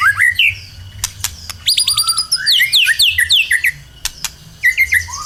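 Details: White-rumped shama, a strong-singing bird used to lure other birds into singing: loud, varied whistled phrases, sliding rising notes and rapid chattering runs, broken by sharp clicks.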